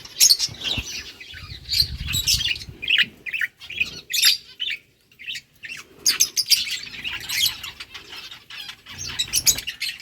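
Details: Busy high chattering from lovebirds eating boiled rice: rapid, shrill chirps in clustered bursts with a short quiet gap partway through.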